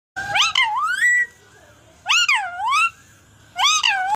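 An Alexandrine parakeet gives three loud, harsh, rising-then-falling calls, each about a second long and roughly a second and a half apart, in a quiet room.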